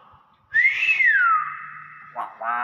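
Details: Common hill myna that mimics speech, giving a clear whistle that rises and then slides down to a level tone, followed by two short, harsh, voice-like notes.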